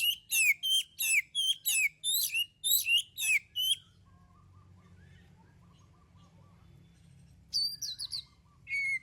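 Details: Oriental magpie-robin singing as a lure for other birds: a steady run of about ten harsh, buzzy downslurred notes, then quiet with faint distant chips, and a few whistled notes at the end.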